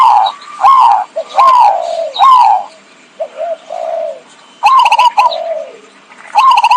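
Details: Zebra dove lure song used for trapping: repeated loud warbled coos, each starting with a sharp stutter and sliding down in pitch, interspersed with softer short coos.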